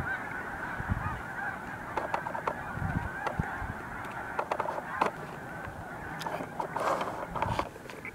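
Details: Large flock of snow geese taking off together at Montezuma, New York, 7 March 2023, giving loud, continuous, overlapping nasal honks and yelps in a thick chorus, with scattered sharp calls standing out and some low rumbling underneath.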